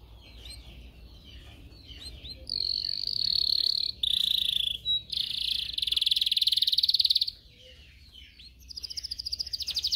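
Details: Canary singing a recording for training young canaries to sing: buzzy rolling trills and long sustained rolls alternate with short gaps and quieter chips, ending in a fast pulsed trill.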